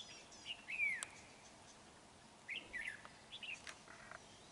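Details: Red-whiskered bulbul at a trap on 31 January 2019. A clear slurred whistle opens, followed by a sharp click, then several shorter chirpy phrases spaced out across the rest.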